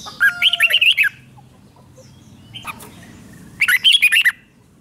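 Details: Red-whiskered bulbul song played to excite caged birds in Thailand: a burst of bright warbled whistles, a quiet pause, then a matching whistled phrase, over faint low background hum.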